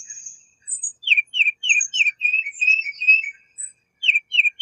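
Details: Tufted titmouse singing a fast series of repeated clear whistled notes, each slurring downward, around a dozen in quick succession with brief pauses, plus faint high chips from other birds.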